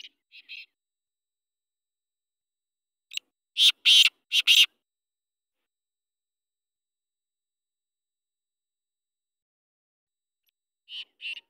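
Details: Free-roaming black francolin with a single burst of three loud, harsh, grating notes, surrounded by faint short chips and long stretches of silence.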